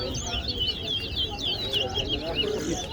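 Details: Towa towa finch song during a competition between two birds at Guyana National Stadium; looping, bright twittered phrases of swooping high notes delivered rapidly, with murmuring crowd voices underneath.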